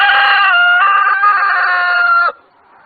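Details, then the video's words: Rooster crowing loudly: one sustained, harmonic-rich crow lasting just over two seconds, steady in pitch with slight wavers, ending abruptly into near silence. "The sound of cock cock Warble roster sound"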